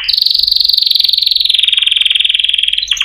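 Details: Canary holds a fast, even rolling trill lasting about three seconds, slightly falling in pitch, ending with a brief higher flourish.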